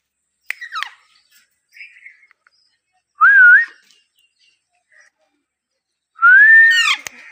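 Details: Baby Alexandrine parakeet giving a few scattered calls: a short descending whistle, then a wavering whistled note, and later a longer rising whistle with a rough, harmonic edge. Quiet gaps separate the calls, with faint soft chirps between them.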